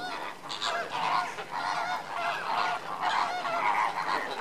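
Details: Lesser flamingos during an enrichment session, a dense flock chorus of nasal, goose-like honks overlapping continuously, with brighter bursts near half a second, three seconds and four seconds and a steady murmur beneath.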